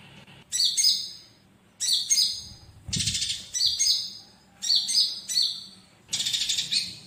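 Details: Olive-backed sunbird song meant for training other birds, filled with fighting-sparrow phrases: repeated short phrases of shrill, descending whistled notes and a couple of buzzy rattled trills, each separated by half-second pauses.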